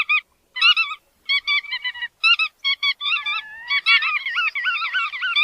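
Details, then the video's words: Chắt đuôi vằn uttering short clusters of nasal, stacked-harmonic notes separated by gaps, then a wavering, warbled phrase that rises and falls steadily to the end. "Tiếng Chim Chắt Đuôi Vằn"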